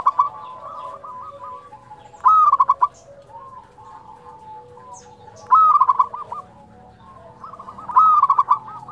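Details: Local zebra dove performing its 'nyuling' fluting song. Four phrases, each a bright whistled opening and a quick string of stuttered coos, are spaced a few seconds apart over faint background cooing from other doves.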